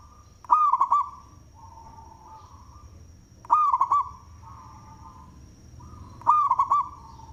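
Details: Local zebra dove (perkutut) in loud manggung song, suited as a lure: rapid rolling trill of cooing notes followed by a softer drawn-out coo, phrase repeated about every three seconds, with a faint steady high whine behind.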